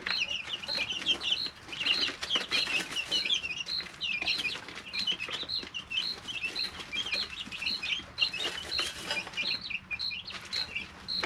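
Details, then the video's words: Long stretch of busy high-pitched chirping from three-week-old chicks in a brooder, several calling at once, with frequent pecking taps and rustling throughout. "Just Chicks - Life in the Brooder"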